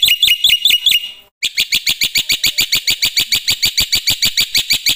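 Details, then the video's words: Loud black-winged myna song: a few ringing notes, a short silence, then a steady fast series of harsh, clipped high chirps, about three to four each second. "suara KERAS jalak putih gacor full isian"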